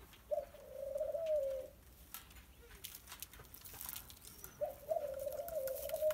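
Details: Tame young Barbary dove being friendly, giving two drawn-out low coos about three seconds apart, each slightly wavering, with faint taps and background noise between.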